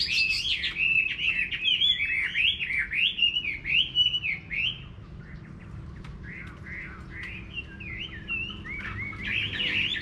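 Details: Chinese hwamei singing in a countryside garden in Vietnam: five seconds of loud, varied warbled whistles, then quieter, more spaced phrases, returning louder at the close.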